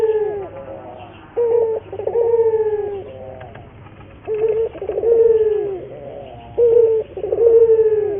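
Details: Local puter dove, recorded as a lure to make other doves sing readily: three low coo-croo phrases, each a short note followed by a drawn-out purring note, separated by quiet pauses.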